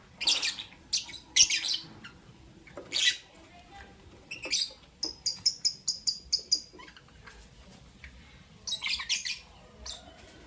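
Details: In the morning, albino and Euwing green opaline lovebirds give harsh, scratchy chirps. In the middle comes a quick regular series of about eight bright high notes, then more rough chirp bursts.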